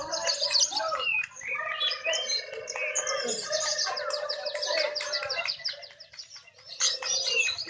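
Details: Lovebirds singing at a contest, judged on how actively they call; a continuous stream of high chattering trills and buzzy twitters with steady tones underneath, easing briefly before a final burst.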